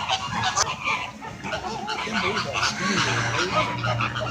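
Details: Noisy flamingos squawking together: dense, harsh honking chatter from many birds, with human voices talking underneath.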